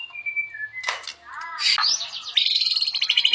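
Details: White-rumped shama singing for a master recording meant to train other shamas: a level whistle, then harsh buzzy bursts and a rapid high trill that fills the last second.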